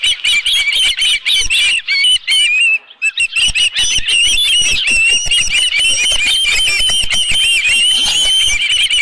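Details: At Dunrovin Ranch on 11 July 2018 an osprey at its nest with a live fish keeps up urgent high-pitched piping, fast repeated slurred whistles, pausing once briefly before a long unbroken stream.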